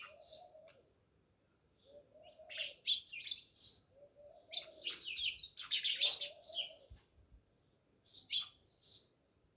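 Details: Many house sparrows by a village house in Jamnagar: quiet start, then a busy stretch of overlapping chirps peaking midway before thinning to single notes.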